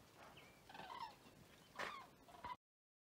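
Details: Several common cranes heard at Vic-la-Gardiole in Occitanie, France, 25 February 2024, giving loud, rattling, trumpet-like calls with rising and falling notes, several voices overlapping, before the sound cuts off abruptly.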